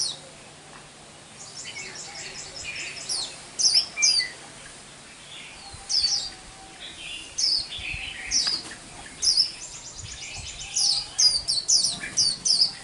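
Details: Newly caught wild white-eye singing the 'liễu xù đầu' song style, still broken up since the bird is not fully strong: scattered high, thin twittering bursts and rapid trills with gaps between, over steady background hiss.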